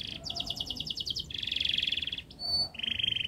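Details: Canary in fast, dense song used to coax young canaries into singing: alternating bursts of very rapid rolled trills, short high clipped notes between them, then another steady trill.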